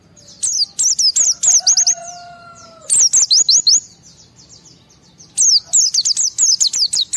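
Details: Emotional white-eye song used to draw responses from other white-eyes: three rapid bursts of high, thin twittering slurs with short gaps, plus a brief steady lower whistled tone between the first bursts.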